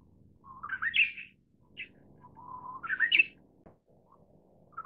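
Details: Song of the Manchurian bush warbler: a steady low whistled note followed by a fast upward-sweeping, slurred flourish, given twice. Short soft notes fill the gaps, and there is a faint low hum behind.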